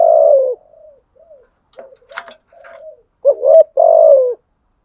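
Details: Spotted dove's rival-challenging coo: a long falling coo, soft trailing murmurs with a brief rustle in between, then a short rising note and another full, low, drawn-out coo.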